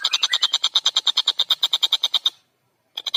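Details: Actively singing long-tailed shrike with a clear voice and tight, fast delivery, recorded for training songbirds: a steady run of rapid, harsh, buzzy notes for over two seconds, a pause, then the fast notes resume.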